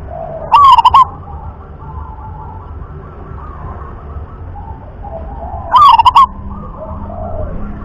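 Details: Sought-after rhythm-class song from a local wild zebra dove: two short bursts of staccato cooing, each a rising note then fast pulses, spaced about five seconds apart. Muted background murmur and faint chirps fill the gaps.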